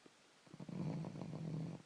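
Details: Young common raven, five to six months old, snoring loudly: a low, rough, rasping pulse of breathing sustained for over a second, with a steady buzzy drone underneath and no other sounds.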